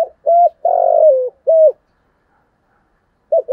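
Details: Spotted dove cooing in the 'giọng thổ' voice style, valued by dove keepers as a call for luring wild doves: three low, hollow coos (short, long and wavering, short), a pause, then a new phrase beginning.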